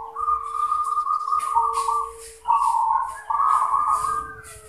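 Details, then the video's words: Zebra dove (perkutut) in its manggung cooing song: long, low, even, trilled coo phrases held in two stretches with a short break between, over a steady faint hum and some scattered clicks. "Zebra Dove | Perkutut manggung"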